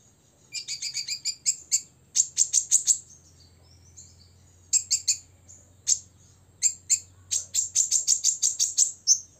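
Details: Six-year-old olive-backed sunbird delivering provocative ngobra song at rivals: accelerating rattles of shrill high chips in three bursts, separated by short quiet gaps.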